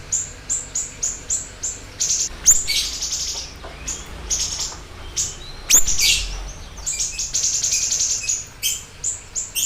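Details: Siri-siri bird in active song as lure and master recording; rapid high chirps about three to four a second run into denser twittering bursts, with a brief low thump in the background.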